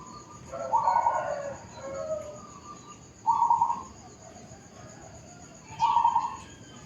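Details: Zebra dove song in a suburban housing area, with three quick rolling coo phrases about every two and a half seconds, each a tight burst of fast repeated notes, plus a softer cooing murmur and light insect hum behind.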